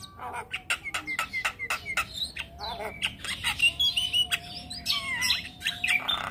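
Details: Young Javan myna in continuous chattering song: rapid uneven clicks and harsh notes mixed with short whistles, with a long steady low whistled tone running through the middle section.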